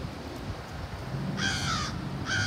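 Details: Crows calling loudly around power lines near a backyard where black vultures had landed at a carcass, one morning: two harsh, nasal caws, one long and slightly falling, then a second just after, over low background rumble.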